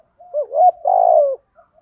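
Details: Spotted dove in thổ Thúc Gù style, a lure call meant to draw wild doves to respond: soft rising lead-in notes, a smooth coo, then a long buzzy, wavering coo that drops at its end, with faint trailing notes.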